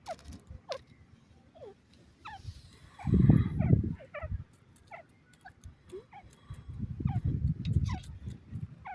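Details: Grey francolin, known locally as teetar, described as a Dakhni teetar, giving a series of short descending squeaky notes, repeated irregularly, over low rumbling handling noise and bursts of background noise.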